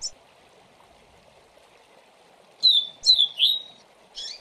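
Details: Double-collared seedeater giving part of a Tui Tui Zel Zel tutor song for young birds. Three bright, downward-slurred whistles follow quickly after one another, then a single buzzy note, over a faint steady hiss.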